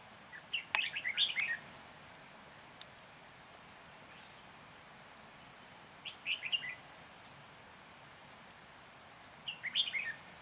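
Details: Red-whiskered bulbul used as a decoy for trapping in Hòa Bình, Vietnam, on 14 January 2021; three short bursts of quick warbled, chirpy notes, each about a second long, separated by pauses of several seconds, over faint steady background hiss.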